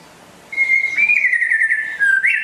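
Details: White-rumped shama from West Aceh, called rare and a vigorous singer, holds one long clear whistle that slides gently downward with a slight waver, then closes with a brief upward flourish.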